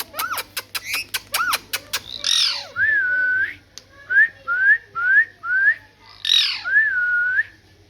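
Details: Captive parrot presented as talking: a quick run of sharp clicks and wavering notes, then a harsh squawk, a long flat whistle, four short rising whistles and a closing squawk and whistle, indoors.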